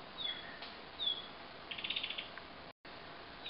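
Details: Asian brown flycatcher parent giving alarm calls near a juvenile hidden in the shade of branches: thin, high, slightly falling whistles repeated about once a second, with a short dry rattling series in the middle, over a soft hiss.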